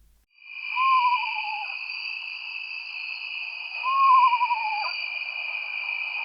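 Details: Eastern Screech-Owl, a frequent yard visitor in the northeastern US, gives two descending, quavering whinnies like a tiny horse neighing, each about a second long and three seconds apart, over steady high background music.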